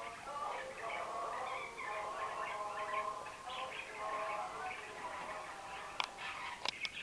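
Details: Pet budgerigars, 30 October 2011, chatter in a continuous warbling stream of short harmonic notes, with a few sharp clicks.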